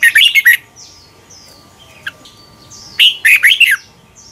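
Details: Caged Red-whiskered Bulbul song from Thailand, played for young birds to copy: two loud bursts of rich, chattering whistled phrases near the start and end, with faint softer notes and a steady low hum between.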